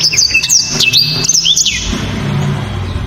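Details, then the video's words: Black-throated canary delivering a clear, sharp burst of high whistled notes, upslurs and chips, fading after about two seconds into a low rumble. "BURUNG blacktrod‼️ gila‼️ penuh power full"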